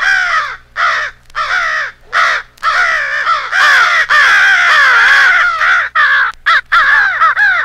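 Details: Rally call from many American crows staged as a fight with an owl for crow hunting: separate raspy caws at first, then a long unbroken chorus of overlapping hoarse calls, ending in quick stutters.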